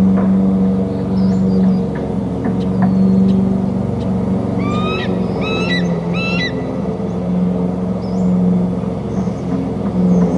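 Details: Bald eagle at a nest on Hornby Island, near the back rim of the nest, giving a rapid series of thin, high piping notes in three or four quick chattering bursts, over a loud low rumble and steady hum.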